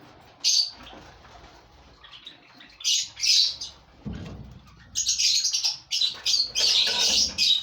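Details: Five breeding pairs of lovebirds housed as a colony give isolated sharp squeaks, then a low flapping thud. Dense shrill chattering follows toward the end.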